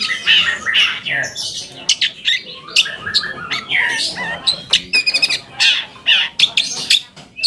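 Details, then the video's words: Long-tailed shrike song meant to provoke other shrikes into responding: a long, varied medley of harsh squawks, scratchy buzzes and sharp clicking chips, delivered fast and irregularly. "PANCINGAN AMPUH BURUNG CENDET AGAR CEPAT GACOR - cendet manapun langsung nyaut dan emosi"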